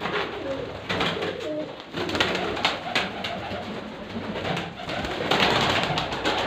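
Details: Pigeons giving low, soft, droning coos with a humming ring through the first two seconds. Busy clicking and rustling noise continues throughout.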